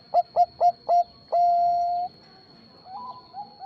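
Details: Zebra dove of the Bangkok type, its voice used as a lure to draw replies from other zebra doves: four short, clipped, mellow coos in quick succession, then one long steady drawn-out coo, with softer fainter coos afterwards.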